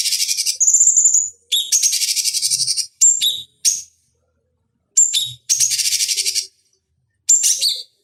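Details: Cucak cungkok bulbul, recorded as a lure for training fighting birds: repeated phrases of high, harsh chattering pulses mixed with short clear whistles, each phrase about a second long and broken by short silences.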